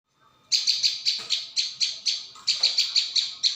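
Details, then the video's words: Prinia call used as a bird-luring recording, played back-to-back without pause: sharp, high chipping notes repeated rapidly, about four per second, in one long run of a dozen notes. "Mp3 pikat burung ciang"/ prenjak bawah"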